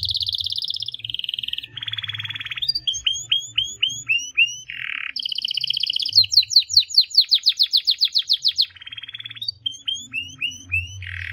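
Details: Canary singing a varied, high-pitched song: buzzy rattles, a fast run of downward-sweeping chips, then a rapid rolling trill, with a faint low hum underneath.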